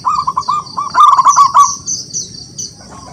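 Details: Wild local zebra dove in full song, calling rivals to answer: quick bubbling coo notes followed by a denser rolling burst, with high chirps and a constant shrill background hiss.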